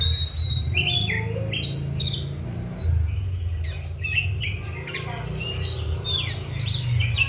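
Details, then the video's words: Oriental magpie-robin in 'gacor' singing, a kept bird fed seven crickets and bathed morning and evening; varied whistles and sharp chirping phrases pour out continuously above a steady low-pitched background rumble. "KACER GACOR"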